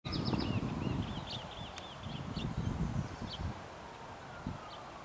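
Townsend's warbler gives a quick run of high, slurred notes repeated several times, then a couple of isolated thin notes, over a steady low rumble of wind.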